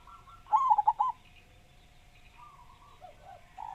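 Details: Zebra dove of local stock, singing actively with a big voice, gives a single rapid phrase of four mellow, bubbling coos, followed by quieter faint notes over a constant faint hum.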